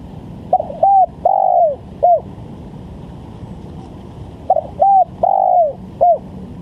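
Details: Spotted dove coos played as a trapping lure. Two phrases about four seconds apart each run through a short note, a round coo, a long coo falling away and a quick final coo, over a faint drone.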